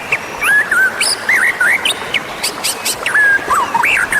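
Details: Calling Oriental magpie-robin, played to attract wild birds: short, bright looping whistles and sweet warbled notes in quick phrases, with a few sharp clicks between.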